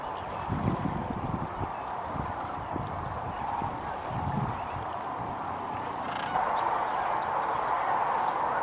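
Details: Large flock of migrating sandhill cranes near Kearney, Nebraska, arriving in late February to rest and refuel before heading north; a dense, continuous rolling chorus of overlapping calls that swells louder after about six seconds.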